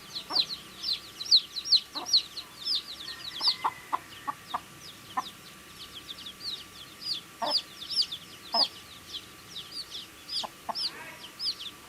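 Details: Baby chicks chirp while eating food: a long run of sharp high peeps, many per second and overlapping, with scattered lower clicks from pecking and a faint steady hum.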